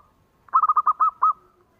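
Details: Perkutut, a local zebra dove, cooing to prompt other doves to sing: a short burst of rapid, evenly spaced mellow notes followed by two held coos, all at one steady pitch, in a quiet setting.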